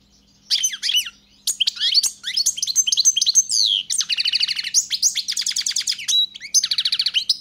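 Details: Lively goldfinch song: a continuous flow of liquid twitters, sweeping notes and dry buzzy trills, with a steady low hum in the background.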